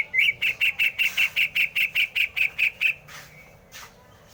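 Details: Greater green leafbird giving a fast, even series of about fourteen sharp, bright notes at a steady pitch in roughly three seconds, then trailing off into a softer note and quiet.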